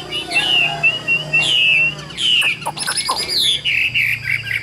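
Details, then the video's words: Captive Chinese hwamei sings loud, varied phrases of clear whistles and slurred notes, with quick chattering bursts and rising and falling sweeps. "Giả Cả Nhẹ Nhàng Cho Ae Nghe Hót Nhé"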